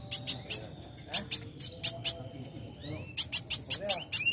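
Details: Lively young sunbird song meant to stir other birds to sing; irregular groups of sharp, very high chirps and thin slurred whistles, broken by short pauses, over a faint low background murmur.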